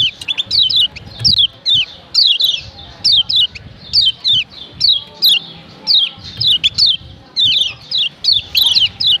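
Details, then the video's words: Female yellow white-eye from Lombok, Indonesia, giving the call used to stir up males: sharp, high chirps sweeping downward, often paired, repeated steadily about once a second over a low background hum. "Ciak Ciak Kecial Kuning BETINA Ampuh Bikin Kecial JANTAN RIBUT‼️"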